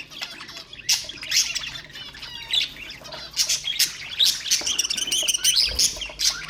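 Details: Budgerigars (Melopsittacus undulatus) chatter in a continuous high warble of rapid chirps, clicks and scratchy squawks, several birds overlapping; warble meant to stimulate other budgerigars to sing.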